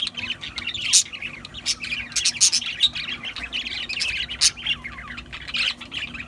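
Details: Pet budgies in lively chatter, a steady stream of bright chirps, warbles and scratchy squawks, with loud bursts around one, two and a half, and four and a half seconds.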